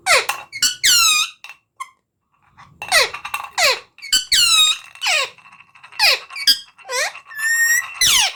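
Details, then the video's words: Talking parrot uttering squeaky, downward-sweeping shrieks and wavering harmonic notes in irregular bursts, with soft faint chatter in the quieter moments. "Talking Parrot/Smart Talking Parrot"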